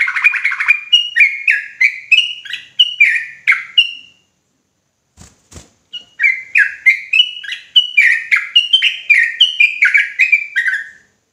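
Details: Sooty-headed bulbul singing ropelan style, emotional and insistent: quick series of short whistled notes alternating high and low, about four per second, broken by a two-second gap with faint clicks, then resuming in the same rapid pattern.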